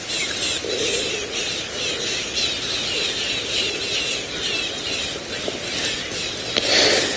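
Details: At sunrise on 2 October 2017 at Djuma, Sabi Sand, South Africa, a flock of birds gives dense, harsh, high chattering alarm calls without pause, scolding a lion pride, with faint voices and outdoor hiss underneath.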